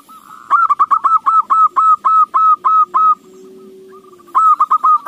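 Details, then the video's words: Song of a zebra dove (perkutut) played to lure other doves into singing: a long series of loud, ringing coo notes at steady quick spacing, a brief soft gap, then another rapid burst. "AWAS KUTUTMU JADI GACOR !! Pancingan AMPUH"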